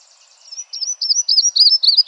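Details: Yellow-throated warbler singing in Arkansas: a quiet buzzy lead-in, then a series of clear, high, slurred whistled notes that grow louder over about one and a half seconds, each note sliding up and down.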